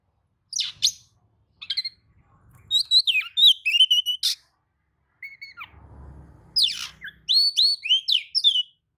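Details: Oriental magpie-robin answering another magpie-robin's song with varied phrases: sharp high chips, buzzy notes and sliding whistles in quick bursts, a short gap, then another rich burst of whistles and chips; a faint low rumble midway.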